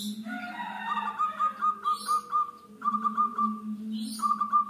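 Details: A local zebra dove sings strongly in long rhythmic trains of quick, soft, bubbling coo notes, pausing briefly and resuming. Brief high chirps of small birds sound over a steady low background hum.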